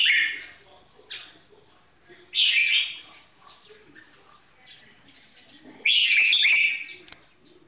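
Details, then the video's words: Red-whiskered bulbul singing slowly and clearly: three short warbled, bubbly phrases at about 0, 2.4 and 6 seconds, high and liquid, with a quiet background between them. "นกหัวจุกเสียงทอง ช้าๆชัดๆ"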